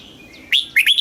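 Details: Thai red-whiskered bulbul singing a southern-style phrase used to excite caged birds and train young ones: faint thin whistles, then bright, quick, warbling notes hopping up and down.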